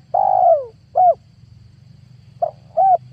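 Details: Decoy spotted dove used in 2022 to attract wild doves for trapping. The clip opens on a long descending coo and a short coo. After a pause comes a clipped note and another short arched coo, all over a low hum.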